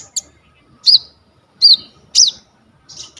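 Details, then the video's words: Coconut lorikeet recorded with a vivo Y21 phone as a sunbird tutor, uttering four separate shrill, slurred squeaks roughly two-thirds of a second apart, each bending down in pitch. "KONIN GEACOR FULL ISIAN 99% COCOK BUAT MASTERAN KOLIBRI NINJA TROTOL/IJOAN"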